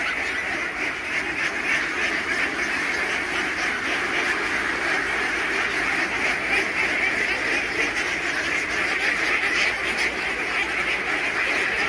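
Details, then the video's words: Khaki Campbell ducks, a farmed flock of about 3000 being fed, make a dense, unbroken wall of overlapping nasal quacks with no pauses. The clamour stays steady throughout. "Duck Farming Feeding 3000 ducks || Khaki Cambell Ducks"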